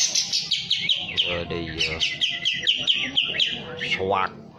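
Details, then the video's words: Kapas tembak bird in breeding condition with tail spread, singing vigorously: a dense, fast run of varied whistled and chirping notes, rising and falling steadily, ending on a rising slurred phrase, with faint low murmurs beneath. "full kapas tembak gacor buka ekor birahi"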